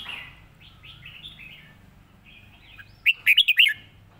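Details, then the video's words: Red-whiskered bulbul model song for teaching birds, easy to learn. Soft, scattered chirpy notes lead into one loud, quick phrase of four or five bright, up-and-down whistled notes near the end. "สำนวนเพลงแม่บท ร้องง่ายๆ (ไว้เปิดสอนนก)"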